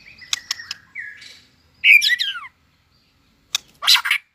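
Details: White-rumped shama competition song: sharp clicks and a short whistled slide, then a loud harsh squawking burst, silence, and another rasping outburst.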